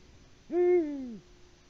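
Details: Male Eurasian eagle-owl on a Latvian live nest camera, 6 March 2019 at 18:06, hooting for a mate while no female answers: a single deep hoot that swoops up sharply, holds steady, then slides down over about seven-tenths of a second, with quiet background.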